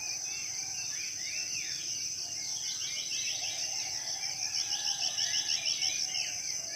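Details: A morning chorus of forest birds in a Southeast Sulawesi rainforest. Rapid chirped trills and slurred whistles repeat several times, with a lower fluting note in the middle, over a constant shrill insect hum.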